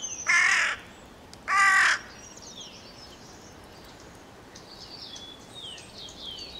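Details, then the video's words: Carrion crow giving two loud, harsh, hoarse caws about a second apart, followed by softer high chirps and whistles of other small birds over steady background noise. "The call of the Carrion Crow"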